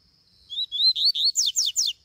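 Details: Rusty-collared seedeater out in the bush sings a quick two-second phrase: three rising whistled notes, then four bright, sharply falling slurs in even rhythm, over an otherwise quiet background.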